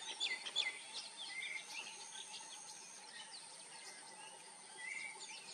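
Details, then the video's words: Common myna (Indian myna) song: a quick, varied run of short chirps and bright whistles, loudest at the start, over a steady high insect drone and background hiss. "The common myna Song"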